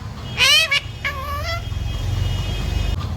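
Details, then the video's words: Talking pet parrot, said to say mummy, papa and sita ram, gives two or three short, bright word-like calls within the first second and a half, then fades into a low background rumble. "बोलने वाला प्यारा तोता 💖 parrot talking mummy papa 🥰 parrot talking sita ram"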